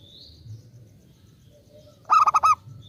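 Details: Lure song of a local zebra dove meant to draw replies from other doves; a single clipped phrase of four or five fast throbbing coos follows a hushed background with faint high chirps.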